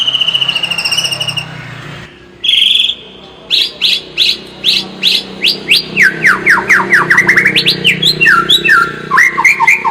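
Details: Lure song of a white-rumped shama, meant to make a bird more aggressive: a clear high whistled note, then a long, quickening series of sharp downslurred notes running into loud, repeated staccato whistles.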